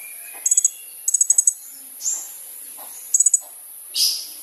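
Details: Lively kolibri ninja sunbird, used as a lure recording: short, fast trills of four to six thin, very high ticks repeated every second or two, mixed with softer slurred high notes.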